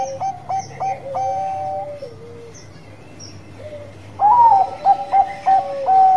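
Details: Lure recording of a Bangkok-type zebra dove in full song: a few clipped coos and a drawn-out falling note, a quiet pause, then a loud burst of rapid, stuttered fluty notes.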